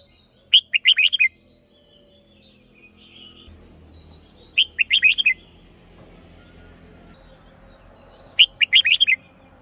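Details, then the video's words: Red-whiskered bulbul decoy bird repeating the same short, bright, bubbling whistled phrase three times, roughly every four seconds, with soft faint whistles between phrases and a low hum underneath. "เสียงนกกรงหัวจุก เพราะๆ"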